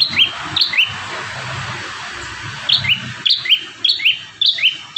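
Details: A bar-winged prinia sings a lively song variation: paired high whistled notes, each a quick upslur falling to a lower note. There is a short burst, a two-second pause, then a tight rhythmic run of five or six pairs.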